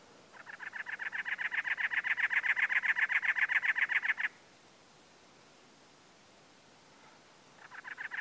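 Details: Perched on cholla or a dead bush on its territory in Anza Borrego State Park, California, April 2010, a male cactus wren gives a long, fast, scratchy chatter of evenly spaced notes, falls silent, then starts again.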